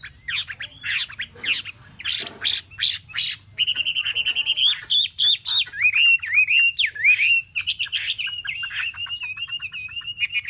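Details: A caged Chinese hwamei, three months in the cage, sings loudly, opening with harsh chattering bursts, then pours out rapid, rich whistled phrases that rise and fall continuously.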